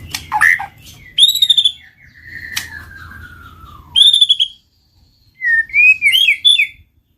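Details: White-rumped shama, used to prompt singing and mating, utters scattered phrases: a harsh burst, a long slowly descending whistle, a chattering phrase, then a few rising sweet notes, with low hum underneath.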